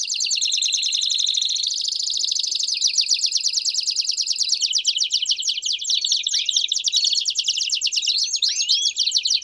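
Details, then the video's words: Canary singing a campainha (bell-style) song with peeps, used to teach young canaries: a long, fast, high rolling trill held steadily, with a few downward-swept peeps near the end. "Canto Campainha Com Piados Top Para Treinar o Canto de Canarios Filhotes!!!"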